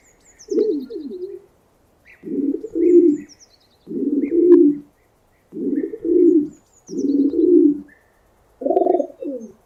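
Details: Repeated pigeon coos recorded in 8D: six low, round phrases at a steady pace of roughly one every one and a half seconds, some swelling in the middle, with faint thin bird chirps above.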